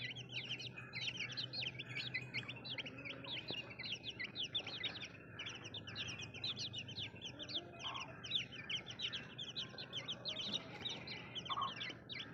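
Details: A crowd of baby chicks chirping without pause, many quick downward-sweeping peeps layered together over a faint, constant low hum.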